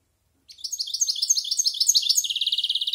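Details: A year-plus European goldfinch rehearsing varied song, silvestrismo style: after brief silence, a quick stream of sharp tinkling twitters that breaks into a fast, even, rattling trill.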